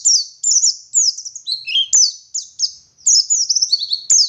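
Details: Oriental white-eye of the local West Java dakun type from Garut, singing vigorously in ngalas style with wit wit phrases and ngeriwik trills: rapid high, thin, twittering notes and descending slurred whistles in near-continuous bursts, with a few sharp clicks.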